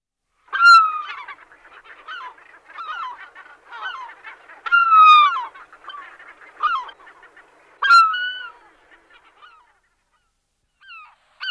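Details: A Herring Gull, possibly a Caspian Gull, gives loud, nasal, falling cries in three main bursts a few seconds apart over a steady background of other gulls calling.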